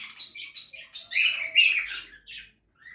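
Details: Budgie feeding in an outdoor backyard aviary: quick sequence of short chirps and squeaky notes, rising into a louder scratchy burst, then a brief pause and one last chirp.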